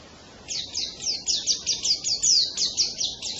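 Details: Pleci, a white-eye, giving a series of high, clipped downslurred notes, roughly two to three per second, over a steady background hiss.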